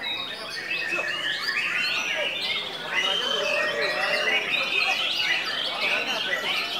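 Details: White-rumped shama singing in an energetic, hyperactive state that is attributed to a diet of only pellets and crickets: a rapid, rich, near-continuous stream of varied whistles, slurred notes and chattering phrases, with faint background chirps.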